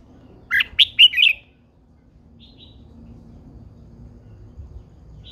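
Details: Old wild-caught female Red-whiskered bulbul, caged, singing to stir up males. One quick phrase of four sharp, ringing chirps runs together, then a faint soft note follows after a pause. Low background hum.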